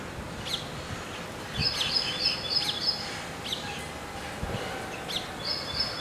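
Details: Baya weavers (Ploceus philippinus) at a nesting colony, building nests in the breeding season just before the monsoon, in the Indian subcontinent. They give high, sizzling buzzy chatter in bursts of about a second, with sharp chirps between, over steady outdoor hiss.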